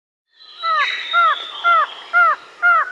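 A White-shouldered antshrike gives five nasal, slightly downslurred notes about every half second, over a steady high insect-like whine.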